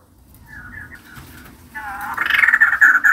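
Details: Female white-crested laughingthrush in active song: soft, wavering nasal notes, then a rising, loud, harsh, rapidly pulsed chatter that is still going at the end.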